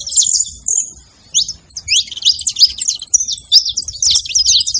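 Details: Saffron finches calling together in a flock, a dense run of short, high chirps and sharp downslurred notes, overlapping and repeated rapidly with brief pauses, producing a busy, noisy chatter.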